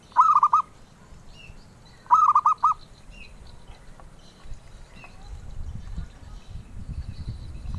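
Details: Collector-sought zebra dove giving two short bursts of rapid, rolling coos near the start, each of about four mellow notes, followed by quieter faint chirps and low background noise.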